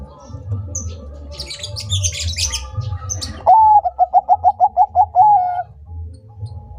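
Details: Bangkok-type zebra dove singing energetically. Bright chirping from other small birds comes first, then one phrase of a rising first note, nine or ten quick evenly spaced coos and a sustained closing note, with low background hum.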